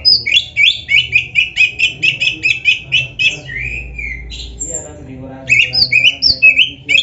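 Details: Oriental magpie-robin singing a varied song meant to spur other magpie-robins to sing: a rapid string of sharp repeated chirping notes, a falling whistle, a brief lull, then quick bright whistled phrases.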